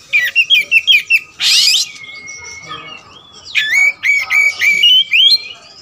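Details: Kacer wulung magpie-robin sings a series of short stepped chip notes, a harsh hissing burst, a long level whistle, then repeated clipped two-tone whistles.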